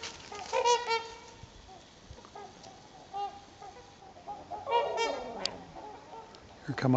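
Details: Migrating trumpeter swans gathered by the hundreds on Garfield Lake, some flying across the water: brassy, horn-like honks in quick doubled and tripled bursts, fading between volleys, louder again near the end.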